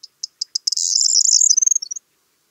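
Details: Corn bunting song in a quiet setting: spaced dry clicks quickening into a loud, scratchy, tinkling jumble, then a handful of fast descending chirps, the phrase lasting about two seconds.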